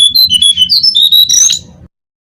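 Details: Brown-cheeked fulvetta song meant to lure birds: bright whistled notes tumble in quick succession, then merge into a rushed, blurred flourish, over a steady low rumble.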